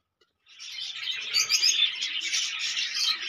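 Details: Budgerigars in a colony breeding setup chatter together in a dense, continuous warble of high, scratchy chirps and twitters.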